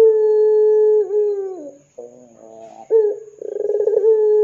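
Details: Ringneck dove coo used as a lure to make other doves call: long steady low coos with a falling tail, broken by a gap and a rolling, pulsed stretch before the steady coo resumes. A faint constant high whine runs throughout.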